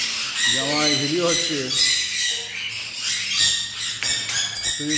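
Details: A caique parrot gives shrill, harsh squawks and screechy calls in short bursts, while its new cage is being built; a person talks in the background, mentioning thunder and rain starting to fall.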